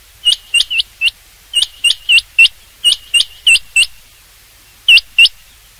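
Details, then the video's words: Rain quail, hunting call: rapid series of hooked, high whistled notes, about three to four per second, in runs broken by a brief pause. "rain quail sound for hunting چنگاکی آواز شکار کیلئے"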